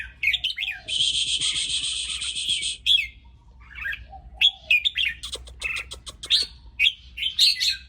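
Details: Excited red-whiskered bulbul with lively, fluty, warbling phrases in quick succession. A sustained harsh buzzing trill fills the first seconds, followed by sharp clicks and a low steady hum underneath.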